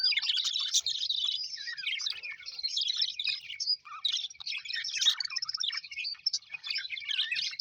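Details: Happy pet budgies, colourful Australian parrots, chattering together: constant twittering warble mixed with short whistled squeaks and chirps, busy and overlapping from start to finish.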